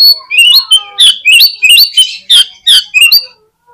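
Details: Oriental magpie-robin lure song meant to prompt quick replies and tail-spreading: a loud, fast string of sweeping whistles, upslurred notes and harsh scratchy bursts, each note rapid and varied.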